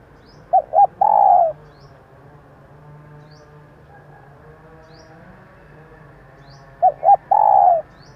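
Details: Two cooing phrases from a female spotted dove, used to stimulate decoy males, separated by about six seconds. Each phrase has two short notes and a longer mellow coo. Faint high ticks repeat in the background.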